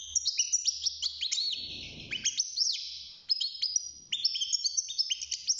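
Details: Caged young European goldfinch, six months old, beginning its song with rapid tinkling twitters and repeated up-slurred notes, a short pause near the middle, then a fast chattering run; soft low hum beneath.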